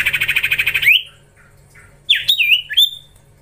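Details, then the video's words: Young common iora being trained: a rapid pulsing rattle of about ten beats ending in an upslurred whistle, silence, then a cluster of bright whistled notes stepping down in pitch. "Gacorrr ngelatih cipow cipoh anakan"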